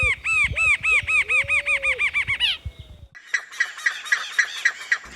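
Laughing Kookaburra: a fast run of loud, arched cackling hoots, about four a second, then a rougher burst of raucous chattering laughter.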